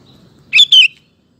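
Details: One quick two-note phrase from a sooty-headed bulbul, used to draw male bulbuls into singing; bright, slightly descending, bubbly notes after a faint low rumble.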